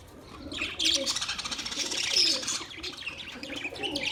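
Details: Budgies chirping in a dense, continuous high warble of fast scratchy trills and squeaks, swelling loud after the first second and staying busy to the end.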